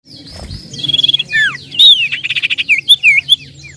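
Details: Common iora (cipoh/sirtu) song used as a lure recording, described as vigorous 'nyiull nyiull' singing: high whistled notes, downward slurred sweeps, then a fast rattling series of buzzy pulses and looping whistles, over a faint low hum.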